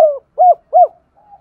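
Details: Spotted dove used as a lure for newly caught doves: a gliding coo followed by two short, rounded, evenly spaced coos and a faint trailing note, deep and hollow.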